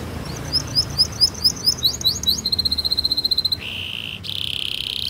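A canary sings a fast run of high, sweeping whistled notes, then a rapid trill of repeated chips, ending in sustained buzzy rolls.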